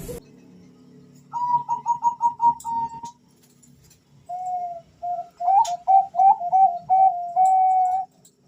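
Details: Male Bangkok zebra doves calling back and forth as a quick lure: a fast series of clear, evenly spaced notes ending in a sustained tone, then a lower bird replies with a stuttering run of notes and a long trailing coo.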